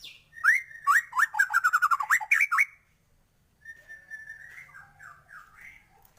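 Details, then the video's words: White-rumped shama singing energetically with full filler phrases to raise birds' excitement: a fast run of about a dozen loud repeated sharp whistled notes, a brief silence, then a softer, looping whistled phrase. "Murai batu gacor,, full isian cepet naikan emosi burung"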